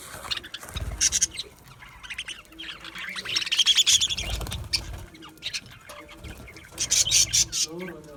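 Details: Budgies (budgerigars) chirping in an aviary: repeated clusters of thin, high, fast chirps and squeaky chatter, one long warbling stretch midway, with occasional soft low thumps in the background.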